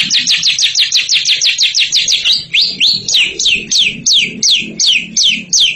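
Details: Ngekek-style singing by a champion bird: quick repeated down-slurred chirps, about three per second, spacing out slightly in the second half, with faint low thumps beneath.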